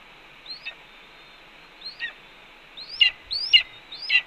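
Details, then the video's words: On a Cornell nest cam, 4 May 2013, a red-tailed hawk vocalizes as its mate eats a pigeon; soft rising whistles with brief downslurred tails, then a louder cluster of three harsh calls near the end. "Cornell RTH_Ez Brings 2 Voles, Eats Pigeon Calmly While BR Vocalizes"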